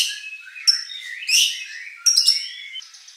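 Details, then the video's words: White-rumped shama singing, a recording meant to trigger a competition bird's fighting response: thin high whistles, rasping chattery notes and a few sharp metallic pips. "shama bird beautiful song performance"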